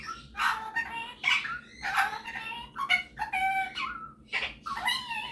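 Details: Pet male superb parrot singing and mimicking: rough harmonic calls alternating with level and falling whistled notes, in irregular phrases indoors.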